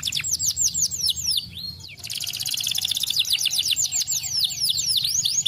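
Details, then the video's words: Singing canary, played to encourage lazy canaries to sing: rapid high chirps sliding down, a brief pause, then a dense buzzy rattle followed by more quick descending whistled notes. "canário escolha é ótimo para estimular o som de canários preguiçosos cantando"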